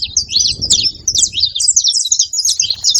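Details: Group of saffron finches calling together, a dense stream of sharp high chirps and short slurred twitters in quick succession, several birds overlapping without pause.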